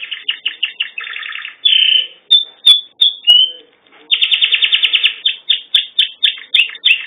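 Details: A singing canary delivers rapid, rolling trills and short pulsed notes, broken by a few clear whistled slides, then a long buzzy roll and a run of evenly spaced chirps.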